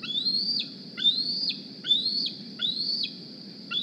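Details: Bald eagle youngster from the 2020 Decorah nest flying in one morning, squeeing for food; four to five high upward-sliding squeals ending in a quick drop, evenly spaced about every 0.6 seconds, with low background hum.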